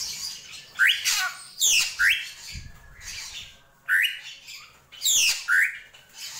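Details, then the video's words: Drongo singing krantil gentolang style, with raspy bursts each followed by a rising slurred note, five or six phrases with short gaps between. "SRIGUNTING KRANTIL | GENTOLANG"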